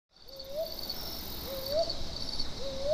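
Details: Brown hawk-owl at Buxa, Alipurduar, India, recorded on a Nikon D7500, giving three rising, upslurred hoots roughly every 1.2 seconds over a steady high buzz of insects.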